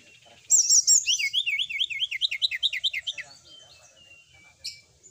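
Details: Brown-chested jungle flycatcher singing to provoke rival birds into answering fast: a burst of high sharp notes slides into a rapid string of about a dozen zigzag whistled trills, then tapers off, ending with one sharp click.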